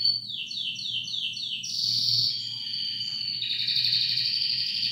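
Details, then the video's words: Two canaries in song with the same voice, opening with a series of rapid descending whistled slurs, then long buzzy high trills, over a steady low background hum. "Canary Bird Full Mode On world best Singing"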